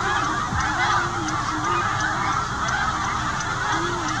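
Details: Snow geese migrating south with this year's young, which are not yet fully white, pausing along the route near Winchester while moulting. A dense chorus of honking calls overlaps throughout, a constant noisy flock clamour with some lower honks.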